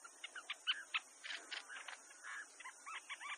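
Bronzy jacamar giving a quick, uneven run of sharp chirps and short slurred whistles, roughly four a second, over a steady high hiss of insects.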